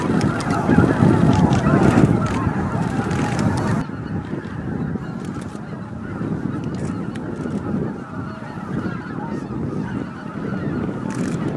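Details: Roost arrival of greater white-fronted geese, Miyajima-numa, Bibai, Japan, 11 April 2016 evening, roughly 15,000 birds; intense honking at first, easing after four seconds into a softer continuous yelping murmur.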